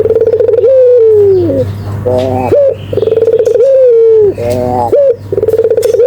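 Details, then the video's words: Barbary dove cooing steadily: low, rolling coos that sag downward at the end, repeated about every one and a half seconds, with a brief higher harmonic note between phrases. "suara burung puter gacor"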